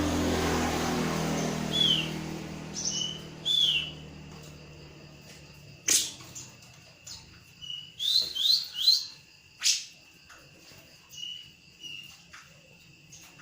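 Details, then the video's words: Grey-cheeked bulbul (cucak jenggot) in full, energetic song: short clear whistled notes, some rising, scattered irregularly and interspersed with sharp clicks and knocks. Low hum fades out early. "cucak jenggot(cucak brues) full emosi nembak"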